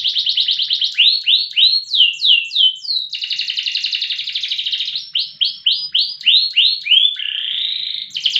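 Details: Prize-standard loper canary known for long, loud song; fast trill opening into rhythmic swooping slurs, a sustained buzzy roll, another series of swoops, and a lower nasal trill near the end.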